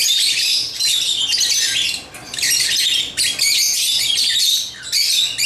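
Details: African lovebirds playing with toys chatter in loud high squeaks and chirps, with two brief lulls breaking an otherwise steady, dense stream.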